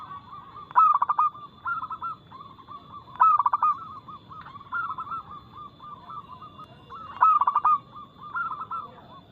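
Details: Local perkutut (zebra dove) with a loud, fast, crystal-toned song used as a lure to stir birds into singing. Strong clipped coo bursts recur about every three seconds, linked by softer rolling coos.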